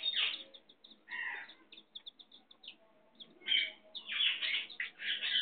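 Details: Hen with chicks: a string of small high peeps among loud, rough, broad squawking calls at the start and in the last two seconds.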